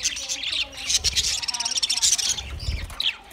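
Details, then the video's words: Budgerigars from a group of twenty pairs, chattering in high, rapid warbled chirps and short squeaks, with a few low thumps underneath. "20 Budgie pairs chirping sounds"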